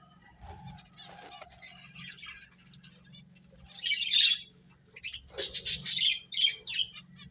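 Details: Finches eating and playing: scattered soft ticks at first, then loud bursts of sharp, high chirping around the middle and again near the end, over a constant low background hum.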